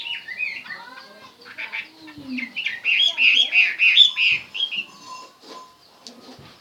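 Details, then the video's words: Chinese hwamei song that starts with scattered whistles and low chuckling notes, builds into a loud rapid series of rich whistled notes, then fades to soft calls. "chim hoa mi hot"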